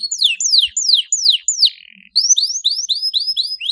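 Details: Canary singing, played to stimulate young canaries to sing: a series of loud descending whistled slurs, a short buzzy note, then repeated rising chirps at a quick pace.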